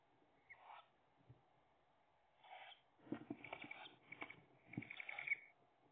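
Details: Tawny owl nest box, 3 May 2021: the female brings an earthworm and a nestling grabs at it but drops it; harsh, hissing rasps in short irregular bursts, busiest near the end, with soft scuffling between.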